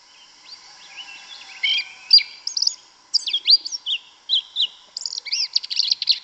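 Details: Song of a yellow-legged thrush in the Brazilian woods, a long tumbling string of high whistled notes, slurs and chirps that grows louder and denser, steady background hum throughout.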